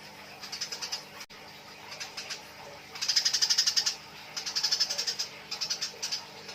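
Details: Eurasian tree sparrows fighting, a nyrecet chatter: rapid series of sharp high chirps, about four per second, in bursts that grow louder and denser after a quieter opening, then pause and resume.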